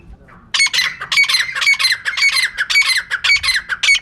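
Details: After half a second of near-silence, a female teetar (francolin) gives a steady string of harsh, scratchy squawks, roughly two per second. Meant for luring birds into traps.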